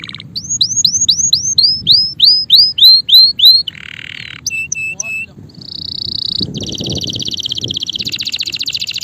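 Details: Male canary in song: rising swept whistles repeated in a quick series, a short buzzy burst, clipped paired notes, then a steady high trill and a long rolling, rattling tour.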